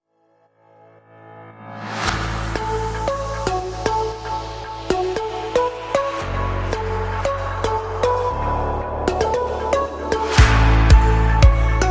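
Electronic dance music with a heavy bass beat and synth chords plays throughout; no animal sound is heard.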